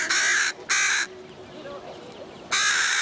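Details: Young Carrion Crows on Buck Hill chasing their parents and begging for food: loud, harsh, raspy caws, two half-second calls close together, then another after a pause, with faint background noise.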